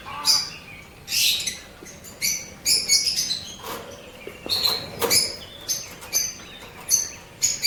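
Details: Blue opaline and parblue opaline lovebirds kept as pets in Pakistan give sharp, piercing high chirps in short bursts, roughly one or two each second, with brief quiet gaps between them.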